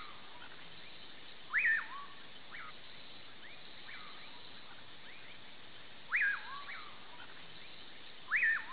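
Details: Common Pauraque at sunset: clear whistled calls that sweep up sharply then slur down, repeated every few seconds with fainter replies, over a steady high chorus of crickets.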